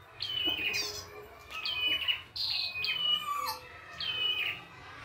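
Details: Red-headed prinia, locally prenjak kepala merah, singing in natural habitat: loud high whistled phrases that slide down in steps, repeated about once per second, over a soft low hum.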